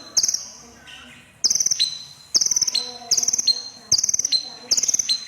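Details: Red-breasted crimson sunbird (konin) chirping busily. Bright buzzy trill bursts, each dropping into a brief lower note, come in a steady series with short pauses between.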